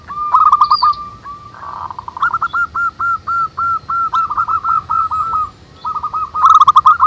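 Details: Several local zebra doves sing manggung outdoors in the wild: a long run of ringing hooked coos at one pitch, some notes doubled or overlapping, with a brief higher note from another bird and rattling clicks near the end.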